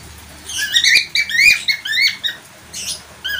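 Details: Close budgerigar chatter, a quick run of rising, slurred chirps and squeaks packed into under three seconds.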